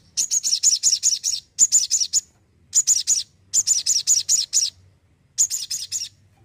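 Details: Crimson sunbird delivering energetic song in short bursts of five to seven rapid, high, metallic chirps, each burst separated by brief pauses.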